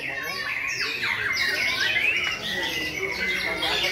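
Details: White-rumped shama singing at a May 2020 contest: clear whistled notes slurring and sliding, mixed with quick downward-swept chips and harsher squawking phrases, other birds singing faintly behind and people talking before and after.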